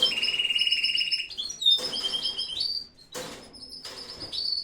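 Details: Home aviary of breeding canaries: a dry, buzzy trill held for over a second, followed by scattered whistled notes and sharp chirps, with brief bursts of broadband noise.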